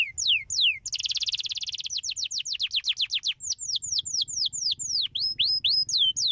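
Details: Canary song meant to stimulate other canaries to sing: sharp down-sweeping whistles, a dense fast buzzy roll, then steady repeated falling notes about three per second, ending in bouncy up-and-down slurred whistles.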